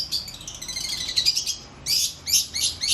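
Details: Cendet, the long-tailed shrike, in a high scratchy warbled phrase that runs into a brief pause, followed by four loud clipped chirps spaced about a third of a second apart.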